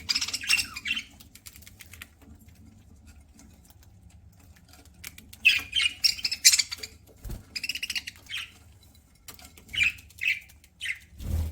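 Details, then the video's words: Budgerigar chirping as it feeds, a pet bird: repeated short bursts of scratchy, buzzy chirps in quick runs, separated by quiet pauses with faint clicking. "PARAKEET EATING SOUNDS"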